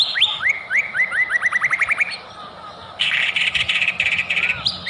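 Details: White-rumped shama song serving as a lure to provoke singing: an accelerating series of rising whistled notes, about a dozen, followed by a dense buzzy rattling phrase and a final upswept whistle.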